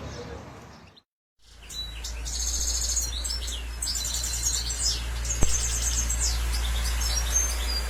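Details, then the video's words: Goldfinch from Germany, after a short silent gap, delivers bursts of bright, rapid high twittering and buzzy trilled phrases over a constant low hum. "الحسون في المانيا اسمع الصوت"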